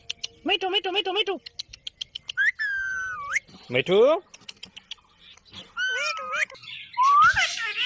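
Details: Indian ringneck parrot talking, producing a quick series of harsh, buzzy, pulsed syllables. These are followed by several gliding, speech-like phrases that rise and fall in pitch, each separated by short pauses, with faint tapping in the background.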